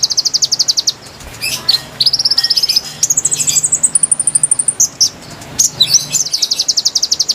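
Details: Konin singing, used to attract wild birds: rapid high ticking trills that rise step by step through several pitches, mixed with short piercing chips and a soft low drone.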